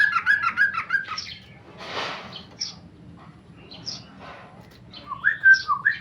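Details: Tame male Sooty-headed bulbul singing in the rapid ropel style, short burbling whistled phrases near the start and end, separated by a broad noisy burst and quieter scattered notes.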